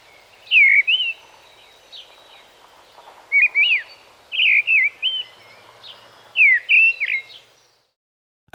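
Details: A mistle thrush (Turdus viscivorus) sings loud, fluty, wavering phrases of a few notes each, sounding rushed, with only brief gaps between them, over a quiet background.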